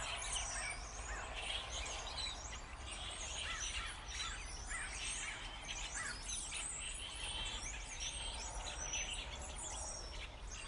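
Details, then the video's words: Starlings in a dense, continuous chorus of overlapping chattering, squeaky and whistled notes, many birds calling at once with no pauses, over a steady low rumble of background noise. "Bird songs - Mind boggling sound of starling."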